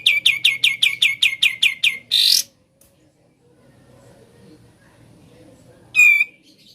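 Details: Sooty-headed bulbul singing ngebren, ten quick high chirps in a tight series, then a noisy rasp, near silence, and one more sharp rasping note.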